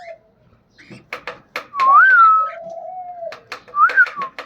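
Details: Pet cockatiel making funny sounds: a loud rising-then-falling whistle, a long lower steady note, and a final arched whistle, amid sharp clicks and tapping noises.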